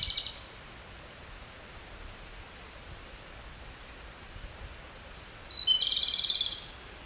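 Japanese robin subsong: a brief high rattle at the start, then after a quiet pause a second, longer dry trill of about a second over faint background hiss.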